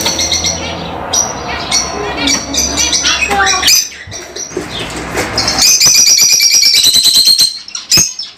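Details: Lovebirds chattering busily, a jumble of squeaks, sharp chirps and rapid buzzy notes from several birds, building into a dense rattling stretch before fading to a few last calls.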